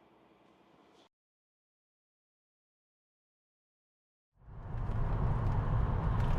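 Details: Low vehicle rumble fades into a long silence, then a louder car engine swells and holds to the end, with no animal calls.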